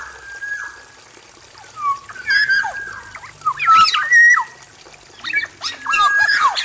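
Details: Male black-naped oriole singing in an aviary: a drawn-out whistle, then clusters of liquid slurred notes and rough chattering bursts, with a persistent thin high tone in the background.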